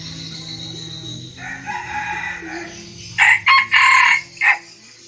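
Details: Mini red junglefowl kept as a decoy, crowing at sunrise in Bình Phước, Vietnam; a faint crow first, then a loud close crow in four bursts ending with a short detached note.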